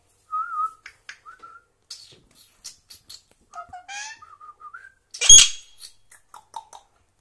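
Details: Pet parrot mimicking speech, giving short whistled phrases and wavering, voice-like warbles, broken by a sharp squawk near the middle and softer clicks afterwards.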